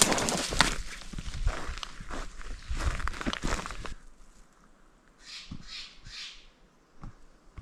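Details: Steller's jays in a California forest making a lot of noise at something, which proved to be a Northern Spotted Owl; three harsh, raspy calls in quick succession follow crunching footsteps through brush.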